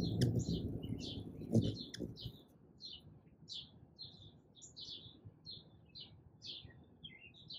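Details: Hummingbird visiting a feeder in the morning, captured on an iPhone 11 on a tripod: thin, high chips repeat at an irregular pace of roughly one every half second, after some low rustling noise at the start.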